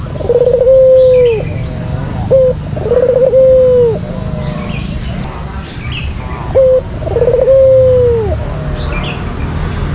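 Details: White collared dove lure song: three rolled coo phrases, each ending in a long falling note and followed by a short clipped coo, with a steady faint hiss throughout.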